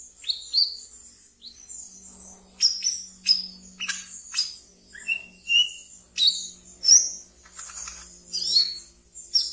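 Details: Caged wiceh delivering ngeriwik twittering, used as a lure for brown-throated sunbird training: quick, high, sharp chirps repeated in a lively irregular stream, one lower whistled note midway, a faint low hum behind.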